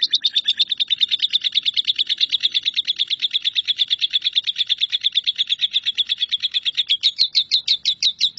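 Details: Lovebird singing in the continuous 'nyambung kuntilanak' style, used as a tutor song for shrikes: one long unbroken rapid chattering trill, high and buzzy, pulses about three per second, steady throughout, no other sounds.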